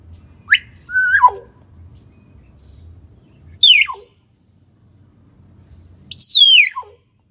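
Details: Common hill myna, to coax a silent bird into song: three separate phrases several seconds apart. Each is a quick whistled upsweep followed by a falling slur, and the last is a high, bright whistle that glides down.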